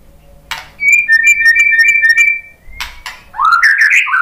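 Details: White-rumped shama singing a pancingan lure song meant to provoke other birds into answering: a sharp click, then a long level whistled note alternating between two pitches, another click, and a rising run of quick bright whistles.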